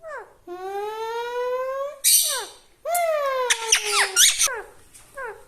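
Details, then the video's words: Talking parrot mimicking speech: a long sustained harmonic tone rising slightly, then falling squawky glides, a loud harsh burst, and short downward-sweeping voice-like syllables toward the end; faint background music. "Talking parrot"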